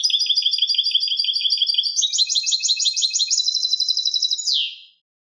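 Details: European goldfinch in canto limpio, or clean song: a rapid high trill that shifts after two seconds into a brighter, higher rolling trill, then ends with one sharp descending note. Clean and with no background sounds.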